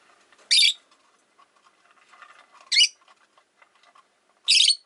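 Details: Three rasping, high screechy calls from rosy-faced lovebirds, five birds caged at a window, come roughly every two seconds over soft background twittering and faint street noise.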